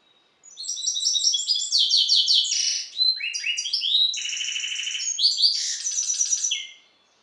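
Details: Extended song from a captive-bred European goldfinch hybrid after the Balkan goldfinch: about six seconds of rapid tinkling notes, harsh buzzy rattles and whistled slurs, varied and nonstop, with no background noise.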